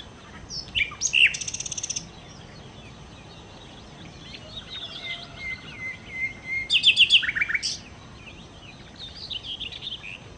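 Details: Singing nightingale, known locally as sikatan londo: sharp high notes and a rapid rattling trill, a quiet pause with a thin sustained whistle, then another burst of sharp notes and rattling trill.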